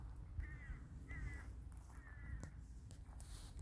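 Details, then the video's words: Crows in a village in winter: three short, nasal caws about a second apart, over low rumbling background noise with faint clicks. "Beautiful winter nature and the sound of crows"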